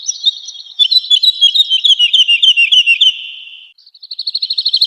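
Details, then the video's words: Woodlark in vigorous song for training cage birds: a cascade of quick liquid notes sliding gradually lower, then after a pause a tight, even trill of rapidly repeated notes. "Woodlark Gacor | Suara Merdu, Speed Rapat, Tembakan Tajam"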